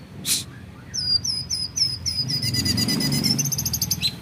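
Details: Captive white-rumped shama from a champion bloodline giving a fast burst of very high, sharp repeated chirps that quicken into a dense rattling series, over a low background hum.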